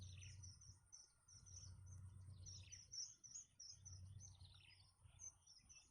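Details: Young birds in a nest begging as their mother feeds them, biting at her for food; thin, high chirps and descending squeaks tumble over one another continuously, above a steady low rumble.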